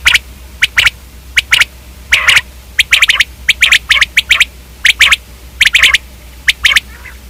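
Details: Common quail repeating crisp clusters of two or three sharp, percussive notes at a brisk, slightly uneven pace, with one buzzier phrase early on and a low hum beneath.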